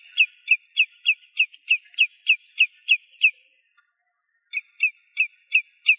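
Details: In its natural habitat in Greece, a Common redshank sings a fast series of clear, ringing whistled notes, about three a second, breaking off briefly before resuming at the same pitch.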